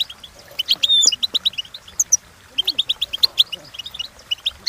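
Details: European goldfinch singing a training song: evenly spaced high chirps in quick runs, opening with a clear drawn-out whistle, plus faint low sweeping sounds in the background.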